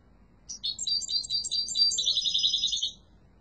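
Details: Yellow mutation goldfinch gives a single strong phrase of tumbling high twitters and buzzy trills lasting about two and a half seconds, with quiet before and after.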